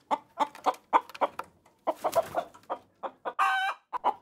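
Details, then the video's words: Chicken giving quick, uneven clucks, with a noisy rasping burst partway through and a short, drawn-out squawk near the end. "Chicken sounds"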